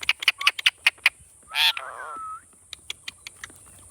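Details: Pet Indian ringneck parakeet producing rapid clicking notes, then a harsh burst and a drawn-out, speech-like wavering phrase, followed by more quick clicks, with a steady high-pitched hum in the background.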